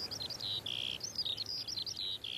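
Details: Eurasian skylark in open farmland of the Mindel valley, Bavaria, Germany, giving territorial song during its rising song flight: a fast, unbroken, varied stream of high chirps, trills and whistled notes over a faint rural hush.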